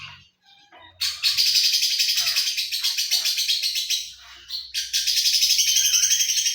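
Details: Lovebird filler song mixing the Cililin, jenggot and sewing-machine styles: two long stretches of loud, rapid, rattling high chatter, split by a short pause, over a faint low hum.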